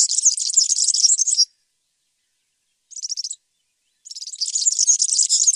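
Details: European serin song: a jingling, high-pitched run, a long silence, a short sputter of squeaky notes, then a second hurried, sparkling phrase.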